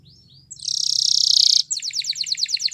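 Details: Canary giving a few thin rising notes, then a loud sustained buzzy trill, followed by a quick run of sharp repeated notes over a low background hum.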